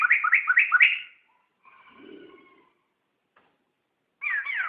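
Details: Laughingthrush song for tutoring songbirds: a quick burst of four looping whistled notes, a faint drawn-out tone with a low murmur, then a final loud tumbling whistle.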